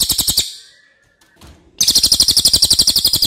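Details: ['Racket-tailed treepie, called cililin, recorded to train other birds: brief chattering, a pause with a faint thin whistle and a soft rustle, then rapid loud rattling pulses.']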